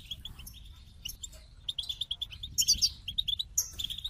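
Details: Goldfinch singing: short, high chirps and clipped tweets in loose runs, with brighter trilled notes near the middle and end, over a faint low background hum.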